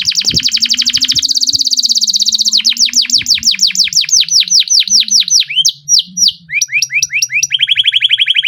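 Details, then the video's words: A canary sings a long, fast rolling song: rapid trills give way to sweeping upslurred whistles and high chips, then a steady buzzy roll. "BURUNG KENARI GACOR NGEROL PANJANG"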